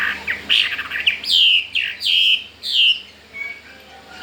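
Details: Chinese hwamei kept in a cage, newly brought home and keen to breed, sings a string of loud, bright whistled notes. Each note slides downward, and the notes come at an uneven pace. Fainter chirps follow.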